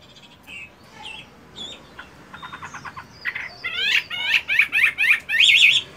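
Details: Chinese hwamei kept as a cage bird, singing in morning practice while moulting: scattered soft notes and buzzy trills give way to louder, quick repeated whistled phrases against faint background hiss.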